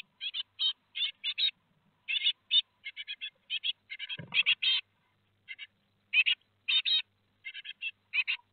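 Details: Great tit brood of four fledging at Théding, France, on 17 July 2020: repeated high chirp pairs and triplets, evenly spaced, with a brief low bump midway.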